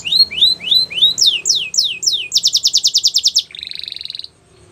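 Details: Belgian canary song of rising curled whistles, then sharper falling swoops, a quick rhythmic run of bright notes, and a closing rattling buzzy trill before it falls quiet.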